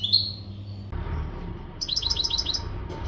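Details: Goldfinch of the Maghreb type, kept and untutored, in readiness song: a thin whistled note, then after a gap a quick run of five or six bright descending chips, over a noisy background hum.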